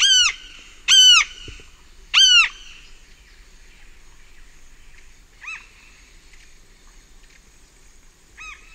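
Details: Close flight calls of a large-billed tern at Pacaya: three loud, strident arched calls in quick succession, then two fainter ones after a pause, against a quiet background of distant birds and insects.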